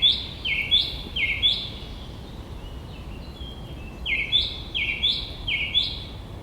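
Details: In spring in a Polish urban forest, a Song Thrush, likely singing from a treetop to attract a female, sings clear, fluty phrases, each repeated two or three times in quick succession, with a faint background hiss.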